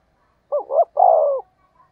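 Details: Spotted dove used as a decoy to draw in wild doves, giving one phrase: a quick, wavering two-part coo run straight into a longer, rich, level coo, over silence.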